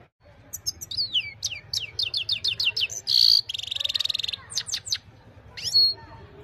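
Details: Himalayan goldfinch singing at evening, recorded on a phone: quick high twitters and descending slurs, then a harsh buzzy rattle around the middle, followed by more tinkling notes and a final whistled slur.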